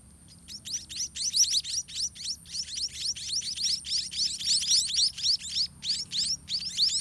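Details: White-rumped munia chicks begging in the nest while parent birds feed them by regurgitating food: a dense, nonstop chorus of thin, high, squeaky rising notes, several per second, in pulsing bursts.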